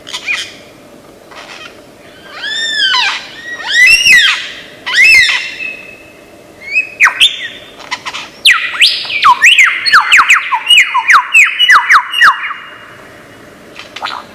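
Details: Lyrebird, an Australian forest bird famed for copying sounds, runs through a varied medley: repeated arched harmonic calls, then a fast tumbling series of sharp whistled downslurs and chips over a steady high hum.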